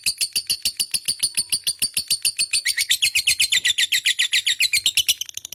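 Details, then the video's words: Lovebird giving long chattering song: fast, regular high-pitched notes about four per second, shifting slightly lower and denser midway, recorded indoors in a small room. "burung love bird ngekek panjang gacor"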